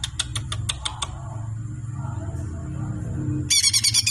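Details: Bird song in a kicau-mania recording: a run of about seven short, sharp, evenly spaced high chirps in the first second, then a low steady hum, ending with a dense burst of rapid buzzy trills.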